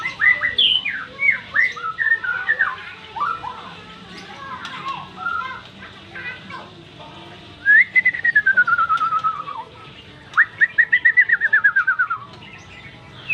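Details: White-rumped shama singing a varied run of clear whistled phrases, some slurred downward and one long descending whistle, followed by a quick series of rapid repeated notes.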